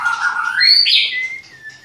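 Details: Short phrase from a white-rumped shama at a breeding farm in Klaten: a rising slurred whistle climbing to a bright high note, then a thin, level whistle fading out.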